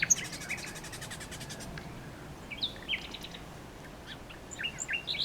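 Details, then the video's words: Common nightingale in song: a buzzy pulsing run of notes opens, then separate high chirps and short downslurred whistles spaced through the rest, with faint low rumble. "A Nightingale singing"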